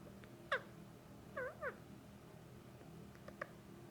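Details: Male Indian ringneck parakeet, about a year and a half old, kept as a pet, calling when petted by its owner: a few short, squeaky, bent notes, spaced and sparse, indoors.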